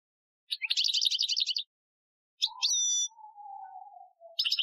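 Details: Algerian-style goldfinch training song from 2015: a dense buzzy trill, a pause, then sharp chips and a thin pure whistle, with a faint low steady tone drifting underneath before the trilling resumes.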